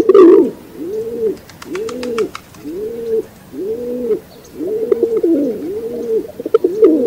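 Rock pigeon giving a steady run of low, soft, rounded coos, about one every second, with faint high chirps from small birds behind.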